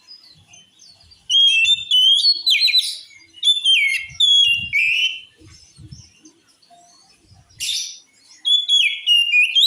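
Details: Oriental magpie-robin song said to make other males furious and ready to fight: loud rich whistles and sharp rising and falling notes in bursts, with harsh buzzy notes between, and some faint low thumps.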